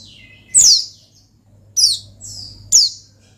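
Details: Oriental white-eye calling out a rival: three loud, very high chirps that slide down in pitch, spaced about a second apart, over a faint low hum.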